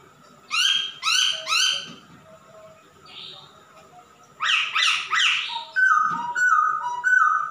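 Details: Actively singing male masked laughingthrush gives three harsh, rasping squawks in quick succession, a soft buzzy note, then another burst of grating notes followed by a run of short whistled phrases.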